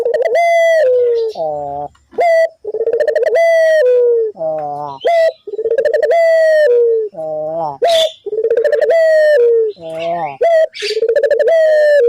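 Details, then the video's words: Barbary dove repeating its call as a lure to make other doves call: rhythmic sequences of clipped rising notes and long rolling, downward coos, about twenty-two a minute. The calls run nearly without a break. "pancingan burung puter gacor,bikin puter lain ikut bunyi"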